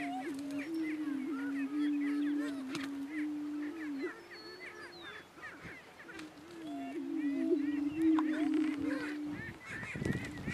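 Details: Two Greater Prairie Chicken males battling for dominance on a northeast Kansas lek; a sustained low hollow hum with brief rising inflections, accompanied by many quick cackles and yelps higher up, ending in a short noisy scuffle.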